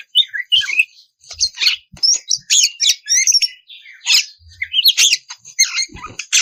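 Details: Oriental magpie-robin song played to provoke other magpie-robins into singing; varied phrases of clear whistles, quick twittering trills and scratchy harsh notes, delivered in short bursts with small gaps.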